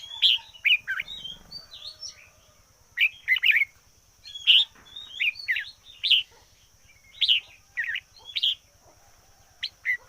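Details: Decoy red-whiskered bulbul in full, spirited song: repeated bright warbled phrases of several quick rising and falling notes, delivered almost continuously, over a faint low rhythmic buzz and a constant high-pitched tone.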